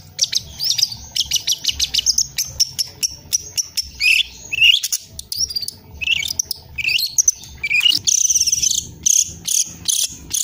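A young Long-tailed shrike runs through a rapid, varied medley of sharp ticks, chattering rattles and buzzy high notes in quick bursts, practising learned song.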